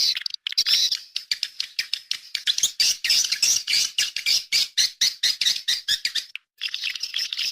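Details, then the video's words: Swiftlet calls: rapid, clipped, high chirps repeated in quick pulses, many per second, with a short pause near the end and no other clear sounds. "Suara walet projektile"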